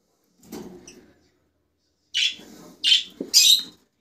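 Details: Rosella calling: three harsh, chattering chirps close together after a pause, with faint low rustling in between.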